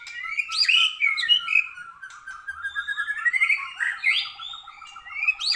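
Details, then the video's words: Caged white-rumped shama singing on a training track, described as not yet emotional enough: a fast, varied stream of chirps, trills and rising whistled sweeps, notes tumbling several per second. "murai masih kurang emosi saat di trek"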